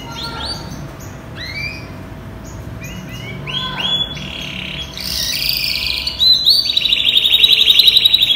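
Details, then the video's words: European-imported yellow canary, about ten months old, wearing a 2020 ring and in peak condition, singing a varied, voice-switching song: rising whistled notes and chirps build into fast buzzy trills and rapid rolling rattles. "Chim Hoàng Yến Nhập EU Vòng 2021 Hót Đảo Giọng Cực Hay || Yellow Canary Bird Singing"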